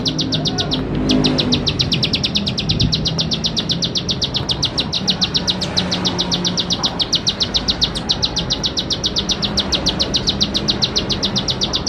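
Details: Bar-winged prinia song played to teach young birds: an almost unbroken, fast, metallic ticking series of high notes, roughly four per second, after one brief stop near the start. Low background rumble.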